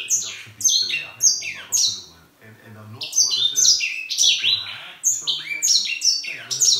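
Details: Indoor grey singing finch, said to sing the whole day, giving lively phrases of sharp descending whistles and twitters, a short pause, then a longer rapid stream of notes over a low room hum.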